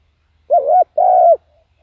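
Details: Spotted dove used as a decoy, calling to draw in wild doves; a two-part phrase of a wavering, dipping low coo followed by a longer, steady hooting coo that drops off at the close, in quiet surroundings.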